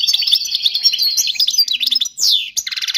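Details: European goldfinch song used for teaching chicks: quick, sparkling twitter, then a harsh downsweeping note and a rapid buzzy rattle to finish.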